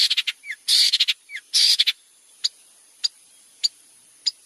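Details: Long-tailed shrike in full song, used as a tutor for white-rumped shamas: harsh, buzzy rasping bursts mixed with short slurred notes, then isolated sharp clicks spaced about every half second.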